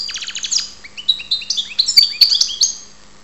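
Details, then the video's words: European goldfinch recorded in Ptolemaida, Greece, opening with a rapid rattle of ticking notes, then a run of clear slurred whistles and tinkling twitters climbing to a bright flourish. "karderina Goldfinch"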